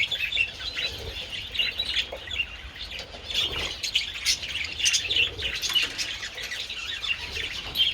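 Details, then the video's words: Budgerigars in sunshine on 27 February, eating treats, keep up a busy flock warble: overlapping high chirps, squeaky twitters and short scratchy notes, with occasional soft wing flutters among the chatter. "Adorable budgies enjoying treats in the sun"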